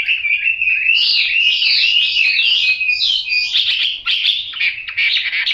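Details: Chinese hwamei with yellow bill and legs pouring out a dense, unbroken warbling song of tumbling whistles and trills, loud and sustained throughout, with little pause.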